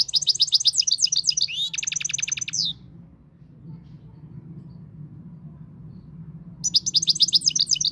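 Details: Moroccan European goldfinch singing: bursts of rapid, bright twittering and tinkling notes, dense and high, about four per second, with a pause of several seconds before the song resumes.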